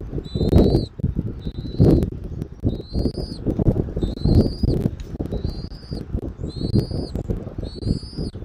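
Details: Bald eagle at a Southwest Florida nest, afternoon of 13 January 2024: seven thin, piping whistles, each level or slightly rising then dropping at the end, repeated roughly every second over heavy rumbling wind.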